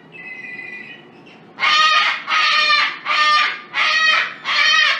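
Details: Australian cockatoo gives five loud, harsh, raspy screeches about one a second, after a quieter, thinner note at the start.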